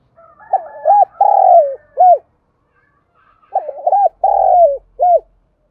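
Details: Spotted dove used as a lure to provoke wild birds, trained daily: two matching phrases about three seconds apart, each of two arched coos, a long falling note and one closing arched coo.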